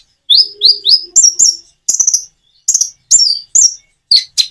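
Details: Common iora song paced with natural pauses to draw responses from other birds. Three rising whistled notes open the phrase, followed by sharp high chirps spaced about half a second apart.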